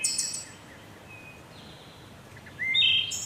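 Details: A wood thrush phrase ends in a high shimmering trill, followed by a thin whistle and then another phrase of clear fluty notes rising into a ringing flourish, against constant broadband noise.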